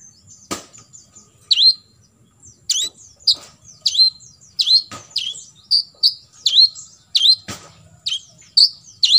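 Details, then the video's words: Olive-backed sunbird (kolibri ninja) delivering full 'tembakan isian' song for training other birds to imitate: bright, high downslurred whistles in a steady series, with occasional sharp clicks and a faint low hum beneath. "KOLIBRI NINJA (KONIN) FULL TEMBAKAN ISIAN"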